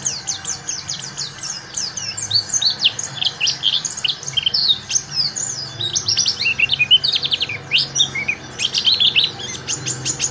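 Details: Pleci ngalas learning song: a long, restless stream of sharp high chirps and quick trills over constant broadband hiss.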